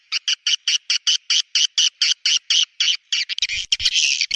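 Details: Borneo swiftlet lure call from Kalimantan, meant to attract swiftlets: a steady train of short buzzy chirps about four per second, ending in a dense burst of twittering chatter.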